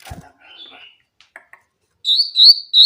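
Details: Grey-cheeked bulbul song used as a lure to draw out bulbuls that rarely sing: after faint low murmuring and a few soft clicks, a loud, clear, high whistled phrase runs through the final second in bright, slightly wavering notes.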